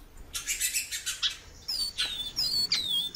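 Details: Female Great-billed Seed-Finch giving thin, drawn-out descending whistles after a run of harsh chirping bursts, with overlapping high notes toward the end.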